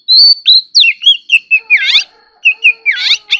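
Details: Oriental magpie-robin in competitive singing, delivering loud, clear whistled phrases: rising and falling slurred notes in quick succession, a few buzzy descending sweeps, brief pause, then more varied whistles, with a faint steady high tone behind.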